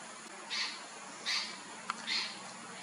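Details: A Spot-breasted Oriole from a family living near a house at a nature reserve, on 30 October 2019, gives three harsh, raspy call notes spaced under a second apart, with a single sharp click between the last two.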